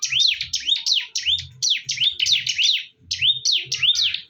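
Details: Bar-winged prinias fighting fiercely. Quick, repeated high chirps, each a swooping up-and-down note, come in two fast runs separated by a brief gap, with soft low thuds beneath.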